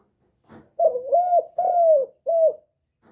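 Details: Spotted dove cooing, a call used to stimulate other birds: a faint low note, then a phrase of four mellow, hollow coos. The first two are linked, the third is long and falling, and the last is short. No other sounds.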